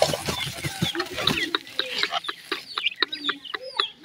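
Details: Grey francolin chicks from a new pair give high, thin, descending cheeps amid loud clattering clicks at first, which ease to sparser taps as the peeping continues.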